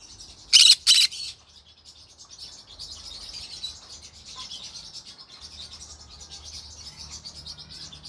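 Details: Two loud harsh squawks open, then a continuous soft high twittering chatter from a green-cheeked conure in the evening, with low rumbling background noise.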